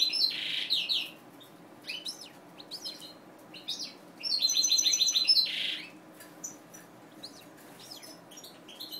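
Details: Mutation-bred European goldfinch kept in captivity gives rapid, high, tinkling twitters in clusters, including a run of quick, evenly repeated notes near the middle, with soft clicks and rustles between phrases.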